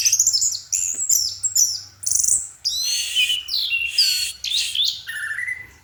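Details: Night song of an orange-headed thrush: loud high whistled phrases that swoop downward, buzzy bursts and clear fluting slides, given in separate strophes about half a second apart, with a low hum behind.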